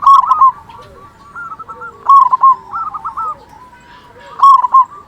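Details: Local zebra dove with a big voice, sung as a lure to excite quiet doves: three loud, rolling coo phrases, with softer stuttering coos in between and a faint low second voice.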